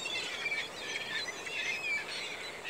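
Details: A dense flock of Ring-billed Gulls in a feeding frenzy at Bear River Migratory Bird Refuge, Utah, on a November morning, gives constant overlapping shrill, squealing calls, many voices at once with no pause.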